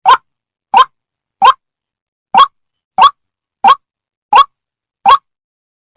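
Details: White-breasted waterhen of the Indonesian type calling: short hoarse, harsh notes repeated evenly about every three-quarters of a second, nine notes with one longer pause, against a silent background.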